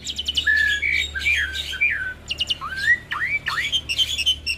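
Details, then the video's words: Caged hybrid of Asian pied starling and Jalak Nias in ocehan chatter, a training master for Asian pied starlings: sliding whistles rising and falling, steep upward swoops and rattling clicks, in a steady stream over a low hum. "Masteran Jalak Suren Biar Cepat gacor Dengan Ocehan Jalak Hybrid ASSU - Jalak Suren X Jalak Nias"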